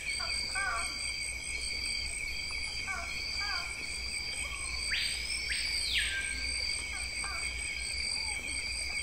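A Screaming Piha gives two loud, ringing whistles that swoop up and then fall away, over a steady high drone of insects and scattered soft chirps from other birds.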